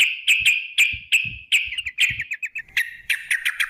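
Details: Sooty-headed bulbul song played as a lure to make birds sing, in a long rapid 'ropel' style: quick bright chattering notes repeated about three times a second in tumbling phrases, with faint low thumps beneath.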